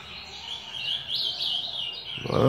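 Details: Captive ultramarine grosbeak in a song-training session, giving a continuous, rich warbling phrase of the 'fala grossa' type; a man's voice cuts in at the end.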